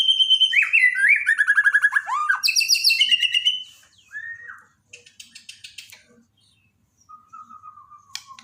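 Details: Borneo white-rumped shama song used as a daily tutor recording for shamas that have stopped singing: loud rapid whistled trills and slurred notes, then buzzy rattles, a pause, and a long falling whistle.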